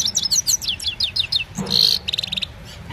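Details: Himalayan goldfinch singing at evening, recorded by an Oppo A76 phone: quick repeated high chirps, a harsh buzzy note, then a short fast rattling trill fading out.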